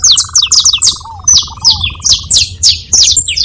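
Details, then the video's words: A flock of saffron finches calls at once with clipped, high, descending chips, over a steady low buzzing trill that runs through the first two seconds. "Canário da terra junto fazendo barulho"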